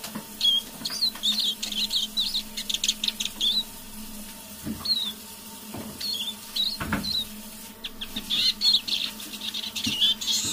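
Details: A decoy Eurasian siskin sings in a low voice on an evening indoors, with bursts of high chattering twitters and slurred whistles separated by pauses, some dry clicks and taps, and a constant low electrical hum.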